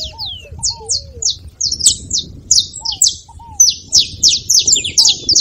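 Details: High, clipped saffron finch notes, scattered at first and then packed into dense runs, played to encourage a non-singing canary; a few low curved whistles and a light rumble in the background.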